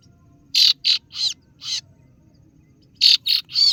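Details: Lure call of the kaso-kaso bird, meant to draw rivals: four rasping, scratchy notes, a pause of over a second, then three more harsh notes in a rapid burst.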